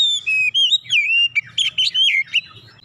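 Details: Oriental magpie-robin singing persistently: a long drawn whistle, then a fast jumble of varied slurred notes, trills and sharp flicks, loud and clear over a faint low hum.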